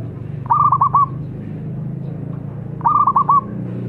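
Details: Zebra dove singing, played as a lure to prompt other birds to sing: two short bursts of four or five quick, bubbling coos, separated by about two seconds of quiet hum.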